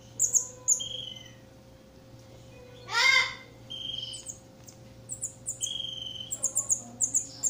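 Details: Campo troupial (Icterus jamacaii) chick being fed: one loud, harsh, buzzy begging burst, with scattered high thin chirps and short clear whistled notes around it, over a faint steady background hum.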